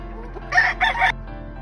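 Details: A Grey Kelso Albany cock on a farm lets out a short, raspy crow in two loud bursts, the second longer, against quiet background music.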